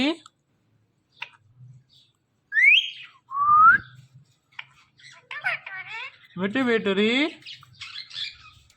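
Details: A talking pet parrot gives two rising whistles, then scratchy chatter and a drawn-out, wavering voice-like call, in an otherwise quiet room.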